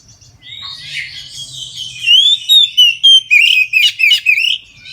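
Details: Oriental magpie-robin in full song at midday, used to prompt other magpie-robins to sing: soft warbling rising into a loud series of about eight clear whistles and harsh rasping notes.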